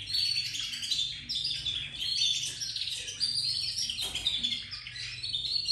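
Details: Many young domestic Belgian canaries starting to sing together in continuous, twittering, high-pitched warbles and trills.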